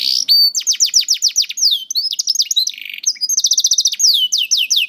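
A canary sings a fast, high song of rapidly repeated, downslurred whistled notes and buzzy trills, with the phrases changing every second or so.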